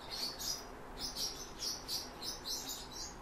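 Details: Song Thrush young being fed by the father, giving shrill high-pitched squeaks in short pulses about every quarter to half second, with a faint low hum behind.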